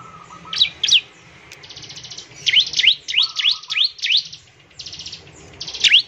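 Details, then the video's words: Bar-winged prinia song used to prompt others of its kind to sing: rapid, fairly regular swooping V-shaped whistles and buzzy rattling trills, with short lower warbled notes near the start and middle. "ciblek semi gacor, memancing ciblek semi cepat bunyi"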